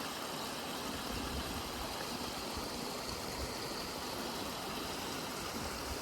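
Steady broadband rushing noise, like running water or a idling engine, fills the scene with no clear animal call.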